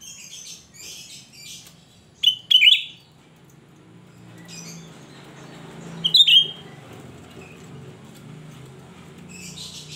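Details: Cucak rante in full shrill song, a recording used to lure other cucak rante; two bright, sharp phrases leap high and slur downward, one pair just after two seconds and another near six seconds, over a low background hum.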